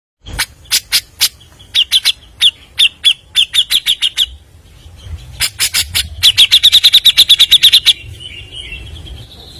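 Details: Grey-cheeked bulbul singing actively and fast without pause, used as a lure. Rapid runs of sharp chirps with bright, downslurred notes repeated about three per second, broken by harsh broadband bursts; the final phrase speeds into a dense rattling series.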